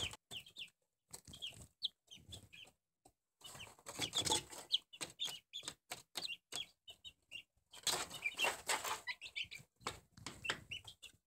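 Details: Barred Plymouth Rock chicks, four weeks old, peeping in high, thin downslurred notes scattered through the clip, often masked by loud rustling, tapping and scratching noises.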